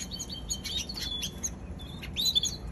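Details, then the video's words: Young canary uttering short bright chirps and clipped whistled notes in loose bursts, separated by brief pauses, ending with a louder cluster of quick tweets. "Baby canary"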